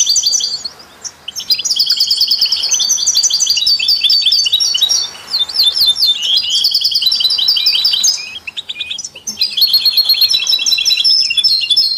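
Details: Melodic European goldfinch song used to stimulate other songbirds, alongside canaries and mules: continuous high, tinkling twitter of fast repeated notes and trills in three long phrases, with short gaps between them.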